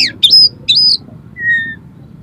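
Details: Oriental magpie-robin song of harsh, varied material to excite another magpie-robin: quick chirps, two bright rising-falling whistles, then a softer level whistle fading away over faint background hum.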